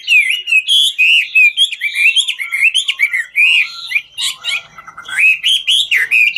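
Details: Chinese hwamei of the 'ngũ trường' type singing as it dances; a rich continuous stream of warbled, looping whistles with sharp clicking notes mixed in and a brief pause midway.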